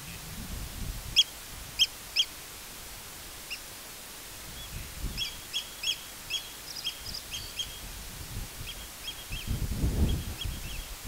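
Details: Eurasian oystercatcher recorded 31 May 2023, giving three loud, sharp piping notes, then a quicker run of softer repeated peeps, over low wind rumble.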